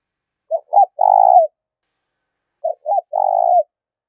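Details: Two low, hoarse spotted dove phrases, each two brief hooting notes followed by a drawn-out burry coo. These are gáy thúc and gáy gọi calls used to stimulate decoy birds during training. No other sounds are heard.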